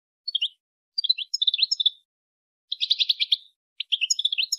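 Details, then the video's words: European goldfinch female calling to urge the male to mate, giving clear, high, liquid twittering phrases of quick tinkling notes in four bursts separated by short silences, no other sounds. "بتبتة انثى حسون لتحفيز الذكر على التزاوج"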